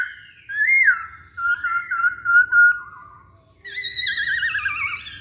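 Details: Masked laughingthrush song used to provoke singing, made of looping whistled notes and a wavering phrase, then a short silence before a loud, buzzy, warbling passage with rich overtones.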